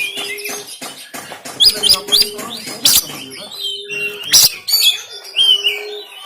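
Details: Harsh 'tembakan kasar' singing of an oriental magpie-robin, Banten, Android phone, used to wake a lazy bird into song and tail display: shrill whistled phrases and loud scratchy bursts above a repeated flat low tone.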